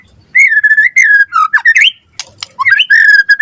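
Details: White-rumped shama singing actively in the Indonesian 'gacor' style, recorded as a lure and tutor for captive shamas: sustained clear whistles held steady, then sliding, rising and dipping whistled notes, one sharp click, then long level whistles again.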